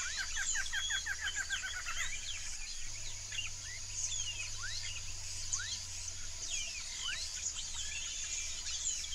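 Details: Wild yellow-rumped marshbirds, known in Brazil as chupim-do-brejo, in a swamp; a chorus of overlapping rising whistled notes and quick descending trills, many birds calling at once, with steady insect-like hiss high above and a low hum.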